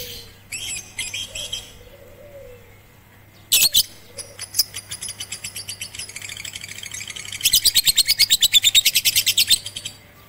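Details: Batman lovebird trained on a roof with a master recording, first session on 18 April 2021: scattered chirps, a sharp harsh burst, then a long fast trill of rapid clicking notes near the end.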